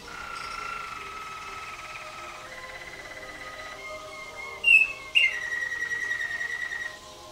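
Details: Caged Waterslager canary singing for judges at the 2011 WWC contest, 114 points with 6 Klok and 5 Bol: sustained steady tones shifting in pitch, two sharp ringing notes, then a long fine trill.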